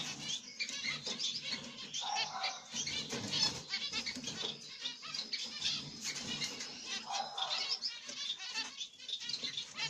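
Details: Zebra finch pair, a grey light-backed black-cheeked mutation male and a pied female, with chicks in the nest: dense, continuous raspy chattering calls, overlapping and harsh, with soft rustling and fluttering throughout.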